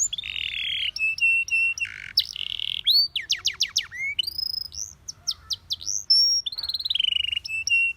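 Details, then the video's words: Canary singing a song played for training canaries to sing: varied whistled notes, buzzy rattles and fast rising-falling trills in quick succession, high-pitched and clear over a quiet background. "Your canary immediately sings when you hear this canary chirp"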